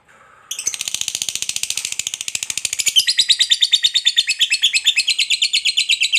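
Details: Lovebird of the fighter type giving a long ngekek chattering song, used to provoke other lovebirds into singing; after brief quiet it bursts into rapid harsh buzzy chatter, about three notes a second, rising slightly in pitch midway.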